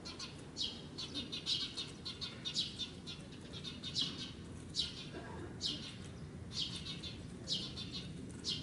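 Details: Parent Eurasian tree sparrow at an apartment bicycle parking area, calling noisily to draw a natural enemy's attention while guarding its fledgling. Sharp high chirps come in quick bursts, repeated roughly every half second to second, over a low background hum.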